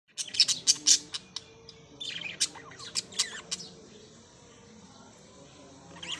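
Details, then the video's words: Parrots chirping: a fast burst of sharp, high squawky notes in the first second, then scattered shrill chirps with quieter gaps. "beautiful parrots | birds | chirping"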